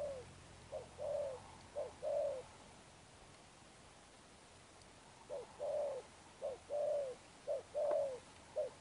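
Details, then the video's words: Newly caught spotted dove in Sấm Thổ coo style: three short-long note pairs, a silent gap of about three seconds, then four more pairs, clean and mid-pitched against light hiss. "Gù Âm Sấm Thổ"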